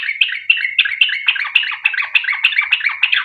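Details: Sooty-headed bulbul song of the long, continuous rolling style used as a lure to make other bulbuls answer and sing; a rapid run of bubbly, warbled phrases repeated several times a second, clean with no other sounds.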